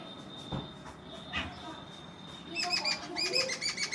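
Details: Grey francolin with chicks, a sedentary, gregarious bird of dry plains: faint scattered notes at first, then a fast run of thin, high, repeated notes over the final second and a half.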